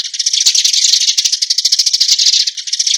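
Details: Eurasian tree sparrows (Passer montanus) calling to the flock: a dense, unbroken chatter of rapid, high, dry chirps, several per second, with no other sounds.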